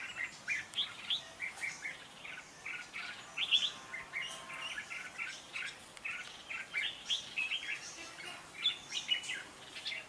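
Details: Red-whiskered bulbul pouring out contest song, meant as decoy sound for catching and training birds: repeated short whistled phrases roughly every half second, bright and chirpy, continuing over ten seconds against light background hiss.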